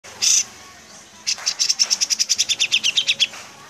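Grey-cheeked bulbul: a single sharp high note, then a fast run of about sixteen bright chattering notes, slipping slightly lower toward the end.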